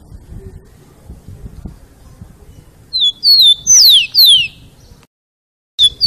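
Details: Rufous-collared sparrow singing the song style called "Jesus meu Deus": after three quiet seconds, two short downslurred whistles followed by two long, steeply falling high sweeps, with another song just beginning at the end.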